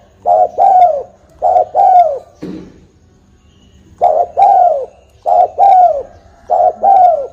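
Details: Lure call of a spotted dove for bird trapping: four repeated low cooing phrases, short notes then a drawn-out hoarse coo, with a brief low rasping noise between the first phrases.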